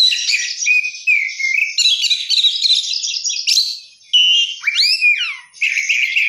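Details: Kacer, the oriental magpie-robin, in energetic 'gacor' song with lavish 'isian mewah' fill-in: buzzy chattering phrases and steady whistles, a brief pause, then a sharp rising-and-falling whistled sweep before the chatter returns.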